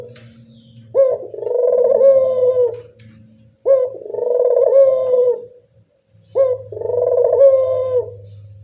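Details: Barbary dove in the evening, a lure to make reluctant doves call: three evenly spaced phrases, each a clipped note running into a long trilling coo, over faint intermittent low hum.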